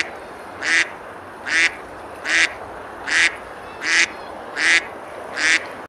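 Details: River ducks at Besalú in Girona, Spain, feeding and splashing on a summer day: seven evenly spaced, rasping quacks, roughly one every 0.8 seconds, each short and nasal, with quiet water ambience between.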